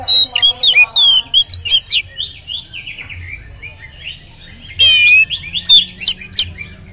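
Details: Oriental magpie-robin singing a rich, varied phrase used as a lure to make other magpie-robins sing. Rapid clear whistles and buzzy notes come first, then quieter warbles, then a dense, raspy rattle followed by more sharp whistled notes.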